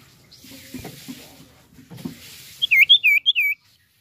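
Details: Common iora, a chatty singer used to stimulate other birds to sing: after quiet rustling, a quick run of five sharp, high, chirped notes.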